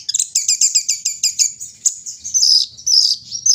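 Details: Morning-airing song of a brown-throated sunbird: a rapid series of high, slurred chirps repeated about six times a second, easing into thin, wavering whistles.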